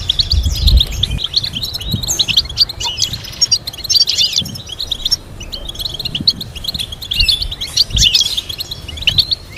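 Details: European goldfinch song meant to stimulate and teach goldfinches: nearly ten seconds of unbroken, excited twittering and chattering trills, with brief pauses between bursts and low background rumble.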